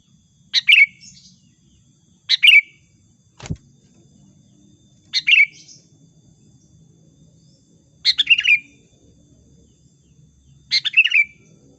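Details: Sooty-headed bulbul song used as a lure call for trapping: short bubbly chattering phrases, descending and ending in a brief trailing note, repeated every two to three seconds, five phrases with one sharp click between.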